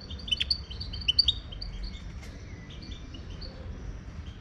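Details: Wild Moroccan European goldfinch gives a short, rapid run of sharp, liquid chirps and twitters near the start, then fainter scattered notes, with a soft low rumble beneath.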